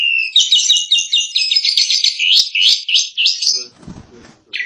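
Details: Tutor recording of an energetic Asian pied starling: rapid, fairly regular series of sharp whistled and chattering notes, about four each second, ending in a soft low rustle and a final note.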